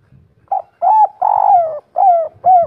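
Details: A local wild-type spotted dove of the "kuk 3" type gives a phrase of five soft, hollow coos, the middle one drawn out longest, each slightly falling in pitch.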